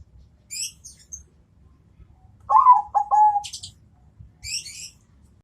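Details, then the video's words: Single phrase from a zebra dove of the Bangkok type calling to a rival: a rising coo, two quick stuttered notes and a held final coo. Scattered high twitters and chirps from small birds come before and after. "perkutut bangkok suara istimewa jitu panggil lawan nyaut"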